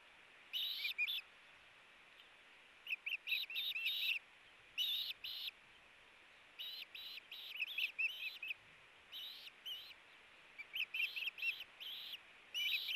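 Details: Ospreys in a tug-of-war over a fish at the Hellgate nest, 4 August 2018: bursts of sharp, high, whistled chirps in short rapid series, separated by brief pauses, over steady background hiss.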